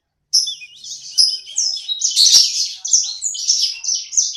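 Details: Small pet sanger bird, described as singing vigorously ('gacor'), delivers a fast, high chattering warble of short buzzy and whistled notes. A sharp click cuts in midway. The room is otherwise quiet.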